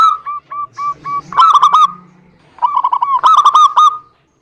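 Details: Zebra dove song meant as a lure for silent birds: a few spaced, even coo notes, then two dense, loud bursts of rapid bouncing notes separated by a quiet gap.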